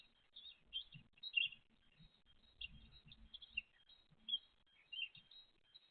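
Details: Great tit mother with chicks, 29 April 2023. Intermittent high chirps and squeaky notes come in small clusters, with faint low fluttering sounds between them.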